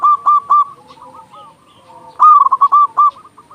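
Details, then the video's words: Loud local zebra dove singing as master song for luring doves and encouraging quiet birds to sing. Three clipped loud coos open the clip, followed by softer cooing and a rapid loud stuttered phrase after two seconds. "Perkutut lokal gacor suara besar Masteran burung perkutut agar cepat bunyi"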